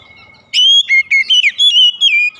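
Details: Oriental magpie-robin in the morning, giving a short, bright phrase of clear whistles: fast, slurred notes dipping and rising, preceded by a faint steady tone.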